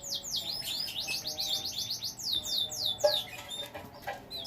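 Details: Kept canary from a breeding setup, pouring out rapid descending whistles in quick succession for about three seconds. The song then fades to scattered soft chirps and a few sharp clicks.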